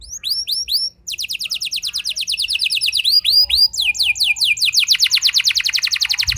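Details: Rolling canary song played to provoke other canaries into singing: a few separate downslurred notes, a brief pause, then long rapid trills of high repeated notes, shifting pitch between phrases.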